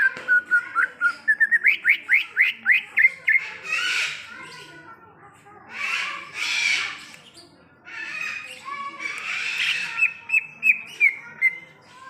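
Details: Song of a wild greater green leafbird: fast rising whistled notes in a steady string, then three broad harsh rasping bursts, closing with thin, rapid repeated whistles.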